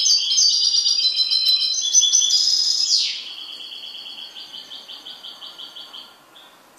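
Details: Kept goldfinch in full song: continuous bright, rapid twittering for three seconds that ends in a quick downward sweep, followed by a softer, buzzy, evenly repeated trill that fades out.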